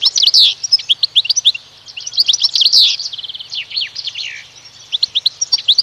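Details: Pet goldfinch × canary mule hybrid in continuous song: fast strings of bright chirps, a quick rattling trill and downslurred notes, with one brief lull midway.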